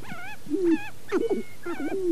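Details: Sharp-tailed grouse on their dancing fields at Namekagon Barrens, northern Wisconsin, before dawn in mid-April at about 23 degrees, give whiny, wavering nasal notes mixed with lower warbling coos, about four phrases in two seconds, against a quiet background.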